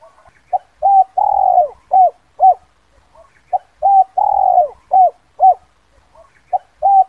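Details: 'Kuk 2' style spotted dove lure call for luring wild doves: repeated phrases of short hooked coos around one long steady coo, clean and loud, with phrases spaced about three seconds apart.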